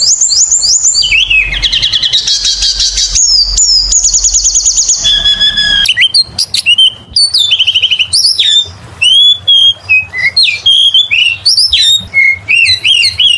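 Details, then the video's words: Oriental magpie-robin (kacer) in prolonged vigorous song used to lure other birds: scratchy chatter and long rapid trills, then a varied stream of sharp whistled and sweeping notes with brief pauses. "PANCINGAN SUARA BURUNG KACER GACOR SUARA NGEMPLONG PARAH"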